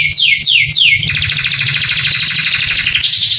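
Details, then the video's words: Canary song used as a training recording to excite young canaries into singing: three slow descending whistled sweeps, then a long rapid buzzy trill of repeated notes that shifts pitch near the end. "MASTERAN KENARI bikin KENARI PANAS EMOSI langsung gacor"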